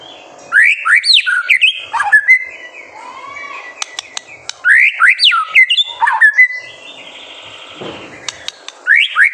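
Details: White-rumped shama master song for provoking young birds; powerful phrases of swooping, rising whistles and slurred notes, repeated in bursts with short pauses and a few clicks between.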